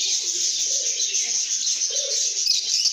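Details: Lovebirds making happy sounds in a good mood: rapid, shrill twittering in an unbroken stream. Softer lower hooting notes appear here and there beneath it.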